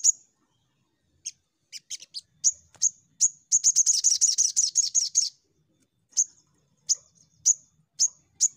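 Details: Crimson sunbird used as a lure recording to prompt captive birds to sing: sharp high chirps, scattered at first, then a fast buzzy trill of about two seconds, followed by single chips spaced under a second apart.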